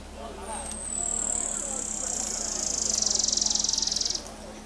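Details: Buff-barred warbler at Long Lake, Jiuzhaigou, 3100 m elevation, 25 June 2014: a thin, very high trill that slides gently downward and speeds into rapid, even pulses for about three and a half seconds before stopping abruptly.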